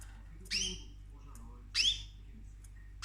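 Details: Pet cockatoo, a female, nibbling her owner's orchids at home, gives harsh, rasping squawks with a rising ring, spaced roughly every second and a quarter, the last one cut off, with low household hum behind.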